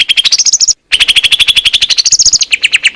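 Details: Clear, loud song of a greater green leafbird recorded in the Indonesian wild: fast, evenly spaced trilling notes with a bright whistled quality, broken by one short pause.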